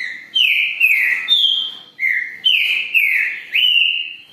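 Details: A Green-winged Saltator (Saltator similis) sings loud, rich whistled phrases of slurred notes, some falling and some rising, about seven in quick succession with no other sounds.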